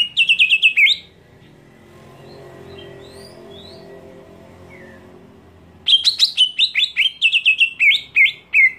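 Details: Greater green leafbird screaming to provoke other leafbirds: short rapid chirp burst, a long lull with faint thin whistles, then a loud extended series of fast harsh repeated chirps.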